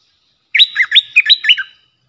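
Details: A bulbul sings for training young birds, with song styles named sap dok, boen and rik. The short, bright phrase of five or six looping whistles lasts just over a second, with a quiet pause before it.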